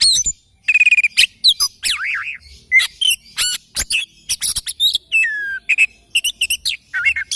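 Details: Oriental magpie-robin singing in the morning, a dense, energetic series of trills, wavering whistles, rapid chips and a falling slurred note, nearly continuous.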